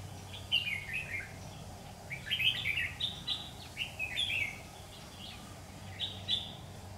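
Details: Red-whiskered bulbul of the Má lỡ type used as a lure bird during trapping on 16 September 2019, singing competitively: bright, chirpy warbled phrases of quick rising and falling notes in bursts, over a steady low hum.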